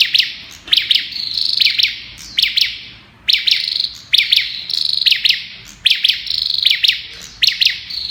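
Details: "Kalashnikov" song of an olive-backed tailorbird: shrill double notes repeated steadily, about one pair per second, each pair run into a brief machine-gun-like high trill, with a short pause midway.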